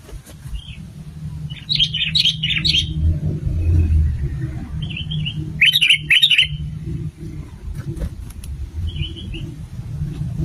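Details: Sooty-headed bulbul song played as a lure: several short bursts of bubbling, whistled notes, with softer single notes in between, over a constant low traffic-like rumble.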